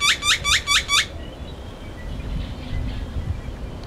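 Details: Great-tailed Grackle singing and mate-calling at a pond near Prince Rd and I-10, Tucson, gives five quick, harsh, rasping notes in about a second, then falls quiet against faint background hum and distant chirps.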